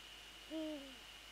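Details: Night-time nest visit by a Eurasian eagle-owl, 20 January 2014 around 21:07: one short, low hoot that dips slightly in pitch, with a constant high-pitched electronic whine behind it.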